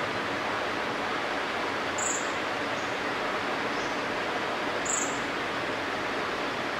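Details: Pale-billed flowerpecker perched on a Millingtonia hortensis tree, giving one of its calls: two sharp, very high clicking chips about three seconds apart, with fainter ticks between, over steady broad hiss. Pale-billed flowerpecker.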